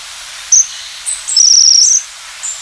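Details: Japanese waxwing: a brief very high note, then a longer buzzy, trilled call lasting under a second, with a few faint high-pitched notes around it.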